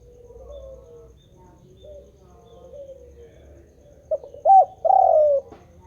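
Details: Spotted dove calling continuously. Faint low cooing at first, then a clear close phrase near the end: short notes, an arched coo and a long descending coo.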